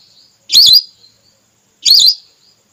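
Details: Hunting lure recording of a female whistling duck, used to call red or plain whistling ducks: two loud, short, wavy whistles about a second and a half apart, each trailing into a thin fading tone.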